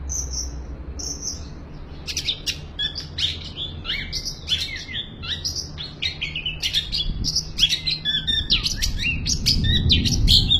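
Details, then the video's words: Long-tailed shrike giving a 'full isian' song: a rapid varied run of high chirps, short whistles and sharp slurred notes at an uneven pace, with low background rumble throughout. "BURUNG CENDET FULL ISIAN"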